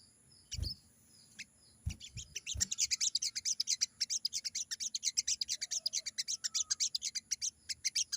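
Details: Crimson sunbird, wild-style 'ngalas' song, used as a lure so newly caught birds answer. After a few low thumps, rapid high chattering notes run almost continuously, about six per second, with a steady electronic hum.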